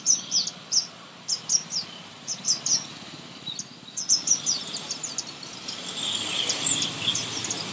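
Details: Baby birds being fed close up, a run of high, thin chirps repeated in quick clusters, several notes per second, becoming denser and louder toward the end amid faint hiss.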